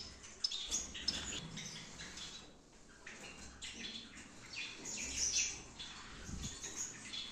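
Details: Captive Gouldian finches in a breeding aviary setup in Peshawar give many short, high chirps and tweets that overlap into a busy chatter, with brief sharp notes standing out and faint low background rumble.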